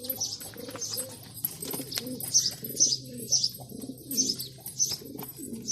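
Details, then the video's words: Male pigeon performing, giving low rolling coos in repeated bursts under a steady run of sharp, high chirps from small birds, with a faint hum in the background. "Pigeon Sound Effect || Male Pigeon Super Performance"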